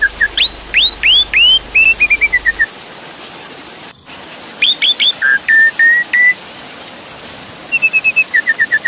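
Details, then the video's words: Javan pied starling song played as a lure to get a silent bird singing. Quick upward-curving whistles in a row, a short series of falling chirps, a high sliding note, then spaced whistles and a fast descending run. "Therapy Pancingan Jalak Suren Macet Bunyi"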